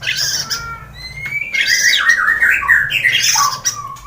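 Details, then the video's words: Loud, harsh white-rumped shama song from a morning training recording meant to set off singing: squawky, buzzy phrases mixed with brief whistled upslurs, delivered in a continuous rush. "pANCINGAN masteran pagi agar MURAI BATU gacor!!!"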